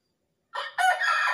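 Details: Rooster crowing before first light on a cool morning: a brief, loud, rasping crow that starts softly, breaks off for a moment, then swells into a strong, sustained harsh note.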